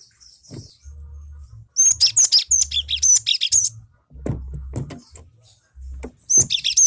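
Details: Cinereous tit song used as a lure to provoke other birds into singing: bursts of high, sharp, rapidly repeated notes about twice a second, separated by pauses, over a low steady hum and occasional clicks.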